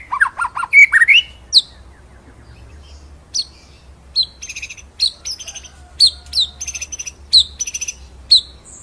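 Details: Murai batu, the white-rumped shama, singing a ngerol nembak master song: rich, tumbling whistles, then a loose series of separate, high, sharp, ringing notes with brief gaps.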